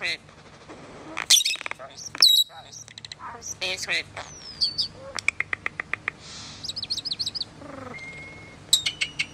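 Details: Common starling pouring out a mix of harsh squeaks, rattling clicks, a gliding high whistle, a chattering trill and a flat whistled tone.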